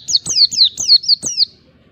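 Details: Short ngalas phrase from an Oriental white-eye provoking a rival: six quick, high whistled notes, each falling in pitch, delivered in just over a second with faint clicks underneath.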